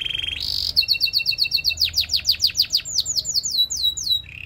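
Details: Canary song used for training, opening with a rolling trill, then fast repeated downward-sweeping notes, a series of sharp sliding chips and a final low trill.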